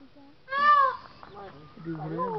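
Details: A peacock at Kunjanagar Eco Park gives one loud, nasal, wailing note lasting about half a second; people's voices follow, talking over the background.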